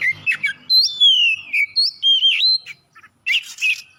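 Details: Oriental magpie-robin singing to stimulate other birds: short chirps lead into long clear whistles sliding downward, wavering sweet notes, a brief pause, then renewed bright warbled phrases.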